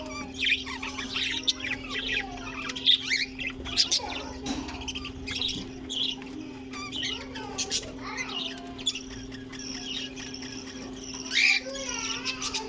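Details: Budgerigar colony kept together with cockatiels: dense, overlapping chirps, squawks and warbled chatter from many birds, rising and falling scratchy notes throughout, with a steady low mechanical hum underneath.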